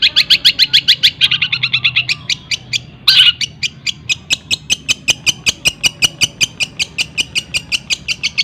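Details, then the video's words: Cendet (long-tailed shrike) singing imitated fills of other birds for a training recording: rapid chipping runs, a sudden loud harsh burst, then a long steady series of sharp clicks. "CENDET ISIAN TENGKEK BUTO SPEED RAPAT SAMBUNG GREJA SAMBUNG KUNTI"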